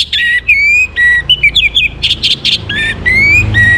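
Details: Varied morning song of an Orange-headed thrush, used to stimulate breeding condition: clear whistles with rising slurs and long drawn notes, mixed with rapid high twittering notes, sung almost continuously.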